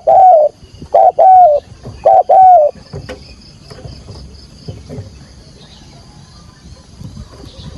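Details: Spotted dove on a decoy perch giving the 'thúc gù' urging call in field voice to attract wild doves to a trap: three quick pairs of loud, rounded, slightly falling coos, followed by a long quiet stretch with a steady high insect buzz.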